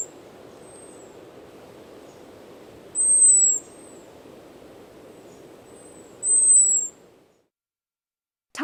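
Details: An American robin gives its high "zee" alarm call: thin, very high, drawn-out whistles, two about three seconds apart.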